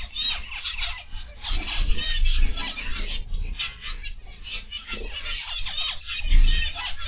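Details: Aviary flock of zebra finches, recorded in the afternoon, giving a steady stream of short, nasal, trumpet-like notes from many birds at once, with a deep background hum.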